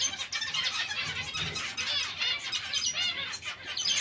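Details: A zebra finch colony producing a nonstop wall of short, harmonically rich nasal chirps and squeaks from many birds at once, with no pause.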